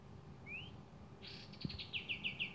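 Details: Javan kingfisher, locally kapas tembak, calling vigorously: a single rising whistle, then a buzzy burst breaking into quick sharp chirps repeated about every seventh of a second.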